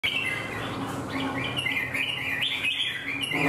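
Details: Caged wild-caught adult red-whiskered bulbul, kept for fighting contests, displaying stiffly while competing; a continuous run of chattering, warbled notes shifting up and down over a steady low hum.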